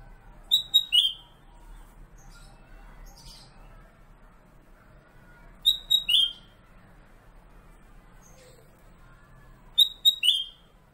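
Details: Pet black-capped bulbul, known locally as kutilang emas and used as a master singer, delivers its fairly monotonous phrase three times, about five seconds apart. Each has quick high notes followed by a slurred, lower whistle.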